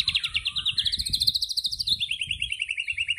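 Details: Murai batu (white-rumped shama) in tembakan style: a fast, even machine-gun trill of bright notes that climbs slightly, then drops and continues as a steady rapid rattle for over three seconds, with a constant faint high hiss.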